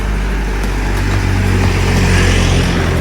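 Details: Steady low engine rumble, like a vehicle idling or passing close by, with no animal calls.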